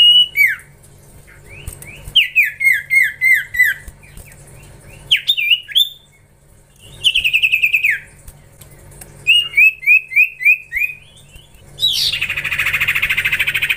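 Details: Common Iora giving runs of five or six clear, downslurred whistles, spaced quickly, between bursts of sharper notes, ending in a harsh, buzzy rasp.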